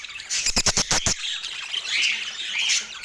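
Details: Pet parakeet at autumn morning feeding in natural light; a quick run of six loud tapping knocks, then soft scratchy chatter with two short rising whistles.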